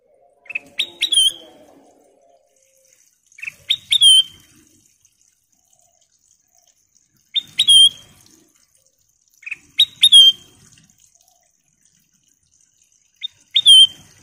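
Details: Ruby-throated bulbul repeating the same short phrase five times, roughly every three seconds: quick introductory chips followed by a clear high whistle, with near silence between phrases.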